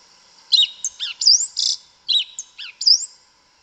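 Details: Yellow-legged thrush (Sabiá Una) singing in the forest: varied phrases of sharp slurred notes and rising whistled sweeps, with a brief noisy burst, repeated after a short gap.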